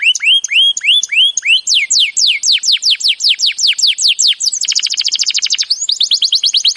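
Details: Canary singing a training song, opening with looping whistled notes, then a long series of fast descending swoops roughly five per second, a buzzy rattling trill, and quick high chirped phrases.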